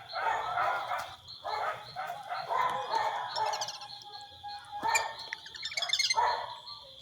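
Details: Brazilian teal in Brazil calling with a run of harsh, buzzy notes in uneven bursts, plus some brief higher chatter, over a constant high-pitched insect drone.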